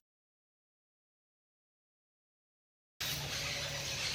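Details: Three seconds of silence followed by loud steady broadband hiss, with no animal sound.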